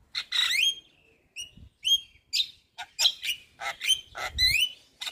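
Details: Lure sound of a white-eyed Javan myna for birds that will not sing: clear whistled phrases sliding up and down, separated by short gaps and dry clicks, in a quiet background.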